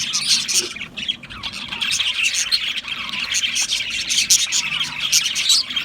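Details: Several Australian parrots calling at once: busy high chirping mixed with short harsh squawks, the chatter rising and dipping in loudness over a few seconds.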